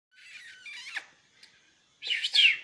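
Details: Season's first goldfinch-canary hybrid chicks, bred from a goldfinch and a Spanish canary hen. They give thin, high squeaky calls, a wavering run of notes followed by a pause and then a louder, rough burst of squeaks.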